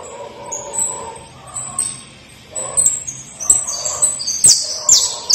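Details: A canary already trilling sings a varied, high-pitched song of bright whistled notes, quick chirps and sharp clicks, with fainter lower warbles underneath.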